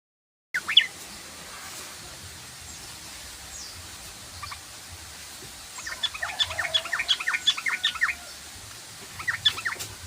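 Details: Sooty-headed bulbul singing in the rapid chattering 'ngoceh ropel' style: mostly quiet background hiss, then two bursts of quick, bright, repeated chirping notes, the longer one lasting about two seconds.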